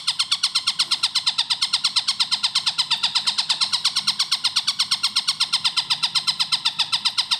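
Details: Tengkek buto (Long-tailed shrike) singing clearly at a fast pace for cage-bird training: continuous harsh, buzzy, downward-bending notes repeated nearly three times a second, loud and even throughout, with a faint low background hum.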